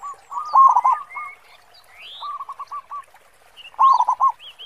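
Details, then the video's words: Local zebra dove singing in a big 'khong' voice, suited as a lure: loud rolled bursts bracketing a softer ticking run of coos, with rising whistles and chirps from other birds. "Perkutut Lokal Gacor Suara Khong besar Cocok Buat Pancingan."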